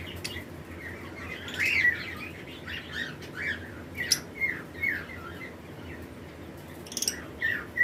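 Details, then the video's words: Lovebirds, including colour mutations, in pairs in a flight colony during breeding season, chirping alongside other birds: dense overlapping squeaky chirps and short harsh notes in irregular bursts, peaking around two, four and seven seconds, over a steady low background hum. "Lovebirds Chirping Sound"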